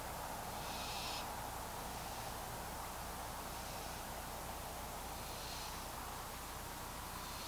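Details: A young wild barn owl that dropped onto the ground in the dark and walked around gives soft, breathy hisses about every one to two seconds over a steady low hum of background noise.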